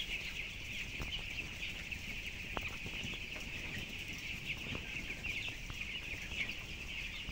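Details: Closed-house flock of 7,000 broiler chickens, 12 days old and 423 grams, giving a constant chorus of thin high cheeps, with repeated light clicks and a low mechanical rumble.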